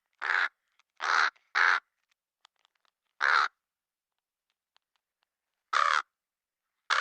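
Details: Black crow uttering six raspy, nasal caws, three in quick succession and then three more spaced by longer pauses, in a quiet setting with faint clicks between calls.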